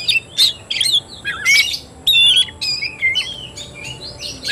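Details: Fighting-style song (tarung) of an Oriental magpie-robin: loud separate phrases of clear slurred whistles mixed with harsh rasping notes, roughly one burst every second, over a low background hum.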